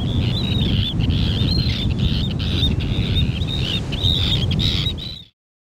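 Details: Arctic terns in breeding season give their characteristic ringing, high, slightly harsh krier notes in quick repeated bursts, several calls overlapping, over a strong low rumble of wind or surf.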